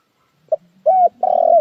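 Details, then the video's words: Part of a spotted dove coo phrase: a short soft note, a level arched coo, then a long loud coo dipping at the end, over a faint low hum. "TIẾNG CHIM CU GÁY CHUẨN NHẤT"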